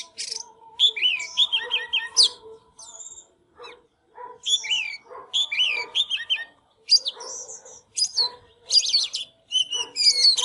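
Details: Singing, dancing Oriental magpie-robin: varied phrases of looping whistles, rapid trills and sharp upslurred notes, broken by short silences and followed by buzzy, wavering notes near the end.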